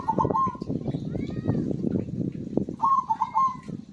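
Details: Singing zebra dove, intended to draw song from silent birds: a brief rolled coo at the start, then after a pause a fuller phrase of fast bubbling notes, set against steady low rumbling noise.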